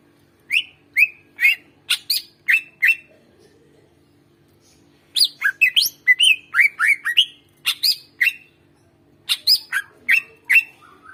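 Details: Greater green leafbird singing vigorously, played to stimulate silent birds into song: three bursts of short, sharp, chirping whistles, each burst holding five to ten notes, separated by brief pauses.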